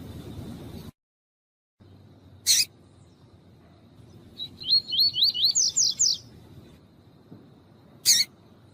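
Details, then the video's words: A double-collared seedeater gives a tui-tui song with a female calling, used by breeders to warm up contest birds: one harsh burst, then a rapid series of about eight slurred rising whistles, and another sharp burst after a pause. "COLEIRO TUÍ-TUÍ E FÊMEA CHAMANDO ESQUENTAR"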